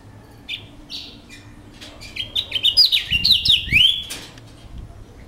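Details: A captive house finch gives a quick, high jumble of slurred, warbled notes for about two seconds, ending with a sweeping downslurred note, after a few scattered chirps and a faint low hum.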